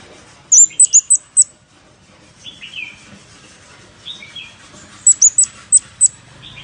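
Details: Scarlet-backed flowerpecker lure call: a fast run of five sharp, very high chirps, lower buzzy twitters, then another burst of five high ticks, all over a low background hiss.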